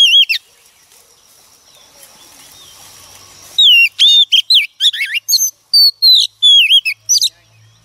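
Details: Female Oriental magpie-robin, a wild-caught bird, singing to stimulate males. Quiet at first, then from mid-clip loud clear whistled notes, sliding up and down, come in quick varied bursts with sharp high chips between.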